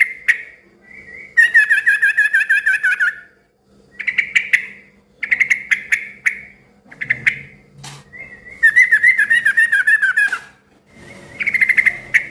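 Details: Yellow-vented bulbul calling busily, a song said to draw answers from other bulbuls: short chirp bursts alternate with long, rapid, buzzy chattering runs of evenly repeated notes.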